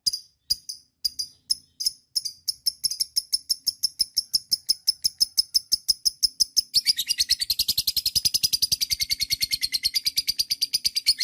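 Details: Lovebird giving long chatter (ngekek panjang), played to stimulate other lovebirds to sing: high sharp chirps repeated about three per second, speeding into a continuous dense shrill trill in the second half.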